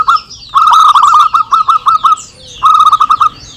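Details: Local zebra doves answering one another, a lure recording: loud, rapid runs of rolling coo notes, one long string then a shorter one, with high twittering from other birds in the background.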